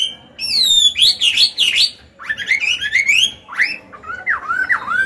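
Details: Old wild-caught Chinese hwamei singing in captivity to train other birds; high clear whistles, rising slurred phrases and dropping looped notes in varied sequence.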